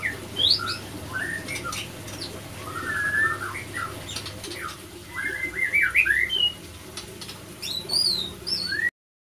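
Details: Male and female white-rumped shama clashing after a failed pairing; scattered sharp whistles swooping up and down, some very high, mixed with short chattering bursts and clicking knocks, ending abruptly.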